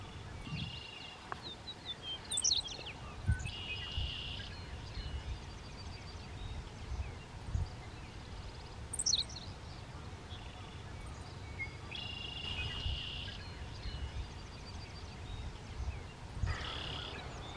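Henslow's sparrow gives its brief, high, hiccuping song amid other bird calls and steady wind rumble.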